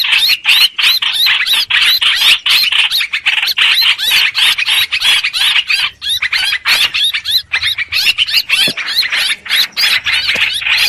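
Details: Long stretch of streak-eared bulbul song played as a trapping lure, fast, uneven, high-pitched chattering phrases repeated over and over.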